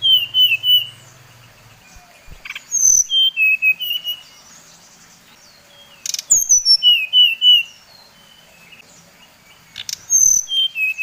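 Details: Bali brown-chested jungle flycatcher song used as a lure to make rival birds emotional. Bursts of quick, sweet whistled phrases, some wavering and some sliding downward, come in three separated bouts with quiet gaps and a few soft clicks.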